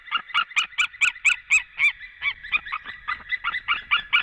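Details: At a nest in Latvia on 23 February 2017, a white-tailed eagle pair calls together as the male comes back around noon; dense, quick yelping notes, harsh and ringing, some overlapping, with faint low rumbles underneath.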